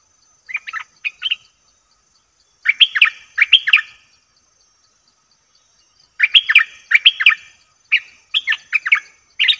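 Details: Lure recording of a bulbul for attracting fierce wild birds. Scattered groups of two or three loud, slurred chattering notes with silent gaps between them.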